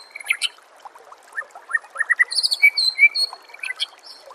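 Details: White-rumped shama tutor song used to train songbirds: a busy run of short chirps and slurred whistles, with sharper high notes near the end and a bright whistled phrase repeated twice.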